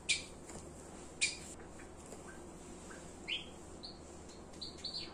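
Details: Java sparrow in a home setting: two loud sharp chips, then quiet scattered notes and a few short high whistled tones near the end, over faint room noise.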